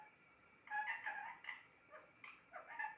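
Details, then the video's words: Pet parrot talking in a rapid string of nasal, word-like syllables, some rising in pitch, delivered in quick bursts over about two seconds against a faint background hum. "Talking parrot"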